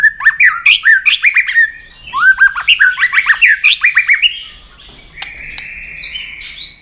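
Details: A White-rumped shama delivers a heated fighting song and flicks its tail against a rival. Rapid, rolling whistled notes and squawky slurs run for about four seconds, then give way to a steadier, drawn-out buzzy tone.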